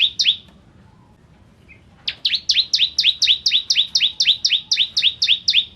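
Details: Bar-winged prinia of the ciblek kristal type in full song, a training recording for magpie-robin keepers: two doubled chirps, a silent gap, then a long steady run of paired upslurred notes, roughly four each second.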